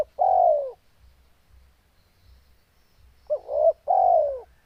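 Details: Spotted dove in breeding condition, cooing strongly: a long, smooth, falling coo, a pause of about two and a half seconds, then a short two-part coo running straight into another long falling coo. The background is quiet.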